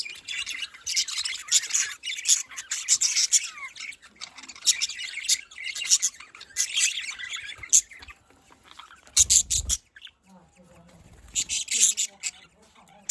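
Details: Budgerigars in Larkana, Sindh chattering continuously in high, scratchy warbled chirps, with a brief lull, then a loud knock, then more bursts of twittering.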